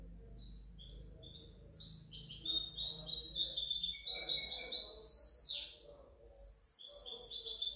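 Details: European goldfinch hybrid from 2019–2020 singing a fast, continuous twittering song of high tinkling notes, short trills and rapid chirps, with a brief downward-swept phrase midway and a faint low hum underneath.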